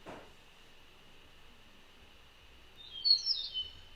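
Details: European starling in late March, northeast Ohio, gives one short clear slurred whistled phrase near the end mimicking a meadowlark's song, over steady high hiss after an opening click.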